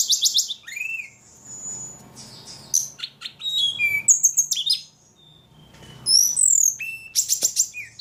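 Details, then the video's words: Ledekan bird in full voice, delivering varied high chirps, a long clear whistled note, sharp slurred notes and short buzzy trills, separated by brief pauses. "Burung ledekan paling gacor"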